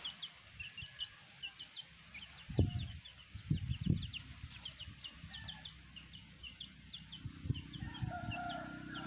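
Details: Chicks of a black hen peep constantly in quick, high, sliding notes, with a few low bumps and thumps in the background.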